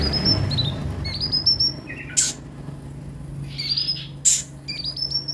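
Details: Van Hasselt's sunbird (kolibri ninja) played to coax caged birds into song; strings of thin, very high whistled notes with small downward slurs, two sharp loud chips, and a steady low hum.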